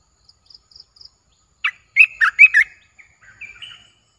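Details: Faint high ticks lead into a rich, bubbly phrase of chirps and a softer rising whistle from a captive olive-winged bulbul, recorded 29 June 2021.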